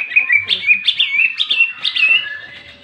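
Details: Greater green leafbird in full 'ngentrok jenggrik' fighting song, used to agitate other leafbirds: a fast, continuous warble of sweet whistles and chattering flourishes that fades toward the end.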